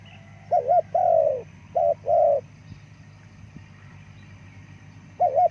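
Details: Repeated coos of a spotted dove, two phrases of a short double note then a drawn-out descending coo, a long pause, then another double note, with steady low hum behind.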